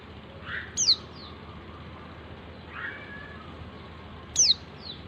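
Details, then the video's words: A female white-eye calling the male, used to prompt silent males to sing: two sharp high descending whistled notes about three and a half seconds apart, with softer lower chirps in between and steady faint background noise. "pleci betina memanggil jantan"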